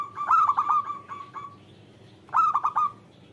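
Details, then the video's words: Local zebra dove heard as a lure for doves slow to sing: a rolling series of rapid, ringing coo notes, a pause, then a tight three-note burst. "Perkutut lokal gacor Panggilan Perkutut Agar Bunyi"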